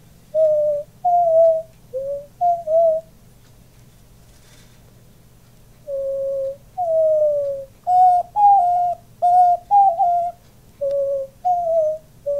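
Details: Male diamond dove kept as a pet, cooing indoors alongside its owner and puffing up with each coo; gentle, low steady coo notes, several gently falling, repeated in irregular runs of two to four with quiet gaps.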